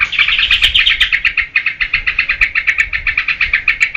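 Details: Yellow-vented bulbul singing vigorously, used to attract and tutor cage birds: a steady fast series of chattering notes, about four per second, continuing evenly throughout.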